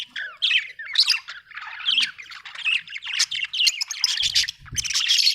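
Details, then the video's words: Budgerigar warbling and squawking in uneven bursts, scratchy chatter rising into higher squeaks, with soft low knocks late in the sequence. "budgie chirping sound"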